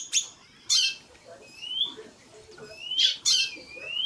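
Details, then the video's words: Female white-bellied seedeater with a male singing in the background: several loud, harsh, buzzy calls mixed with clear rising whistled notes and softer low chatter. "Piado de Fêmea de Chorão + Macho cantando no fundo"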